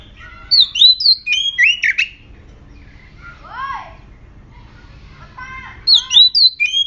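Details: Aggressive oriental magpie-robin (murai kampung) song played as a lure to trigger other birds to sing: loud, varied whistled phrases, sweeping arcs and sharp rising notes in bursts, over a low background hum.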